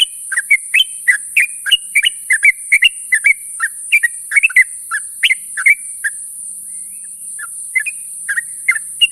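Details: Sooty-headed bulbul calling to companions in the morning, giving a fast, lively string of short liquid whistles that thins out after about six seconds into a few spaced notes; constant high hiss behind.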